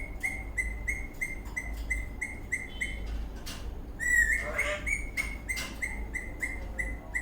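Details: Eastern rosella parrot in a happy mood while dancing, producing evenly spaced short whistled notes about three per second, broken by a brief rising squeaky chirp midway before the steady whistling resumes.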